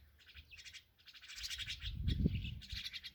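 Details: Nestling mynas calling while their mother feeds them: rapid scratchy chirps in dense bursts, growing louder midway, with a soft low thump and rustle as feeding happens.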